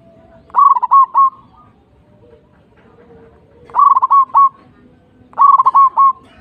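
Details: Three phrases of soft rapid cooing from a local zebra dove, each a short burst of four or five rolling notes, spaced about two seconds apart, with low background murmur.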